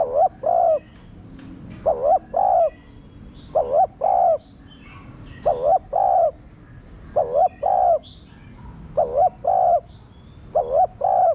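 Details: Spotted dove kept captive, calling to excite other doves into cooing; eight or so paired coos, each a brief warbled note and a drawn-out mellow one, spaced roughly a second and a half apart, faint small-bird chirps behind.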